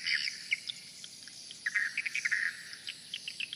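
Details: Many swiftlets flying around the main entrance hole of a swiftlet house give short, high chirps and twitters in scattered bursts over a steady high-pitched hum.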